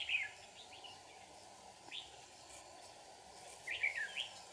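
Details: Red-whiskered bulbul at a trapping site in Kim Bôi, Hòa Bình, Vietnam. Short bright warbled phrases arrive at the start, around two seconds, and in a closing pair near four seconds, over a steady low hum.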